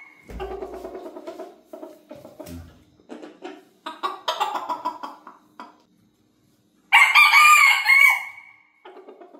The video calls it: australorp rooster crowing